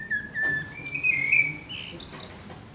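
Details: Eurasian blackbird singing at sunset, Akersloot, the Netherlands, 30 March 2018: a steady low whistled note, then a rising fluted warble, ending in high thin squeaky twitters.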